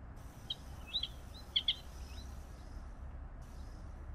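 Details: Tricolored munia (Lonchura malacca): a few faint, thin high chirps and short slurred notes bunched in the first two seconds, over steady low background noise.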